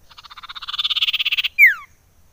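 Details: Common iora call used as a lure to excite other ioras: a fast buzzy trill of rapid pulses that swells in loudness for about one and a half seconds, then ends with a single sharp descending whistle.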